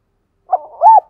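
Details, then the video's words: A decoy dove calling wild doves gives a short low note and a murmur, then a rising-and-falling arched coo, with the start of the next note at the end. "Chim Cu Mồi Thúc Gù Và GÁY Gọi Bổi"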